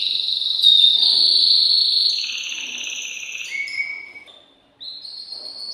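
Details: Excited caged male canary singing to stimulate a female to mate: sustained high trills and rolls shifting between pitch levels, a pure whistled note, a brief pause, then a new rolled phrase.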